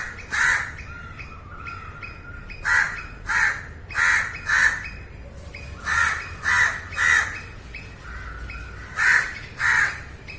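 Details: Crow in a field recording giving harsh, hoarse caws in pairs and triplets, about ten caws over ten seconds with short pauses between bursts, and faint thin whistles from another bird in the gaps.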